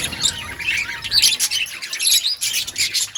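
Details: In an outdoor colony, budgies give a quick flurry of high, scratchy chirps and trills, many birds calling at once in short overlapping bursts.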